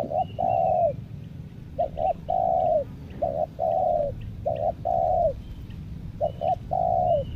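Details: Caged lure tekukur (spotted dove) from Lombok calling to wild doves: around five rhythmic phrases of paired short coos and a longer falling coo, with faint thin bird whistles behind.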